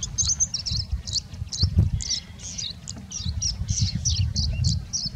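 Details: A Singing Bushlark in India sings with much mimicry, a rapid run of high, sweet chirps and twitters over a low wind rumble, as a wasp passes by.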